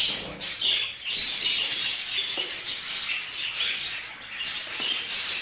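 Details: Budgerigars kept together in a group, with a male jealous over a female: a dense, continuous high warbling chatter of chirps and squeaks, with short loud bursts throughout.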